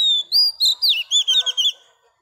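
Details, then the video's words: Female Oriental magpie-robin singing to stimulate males: a sustained high whistle, then a quick run of about seven loud, looping whistled notes, sharp and sweet, ending abruptly. "Choè than mái bổi lên giọng hót kích trống cực chất"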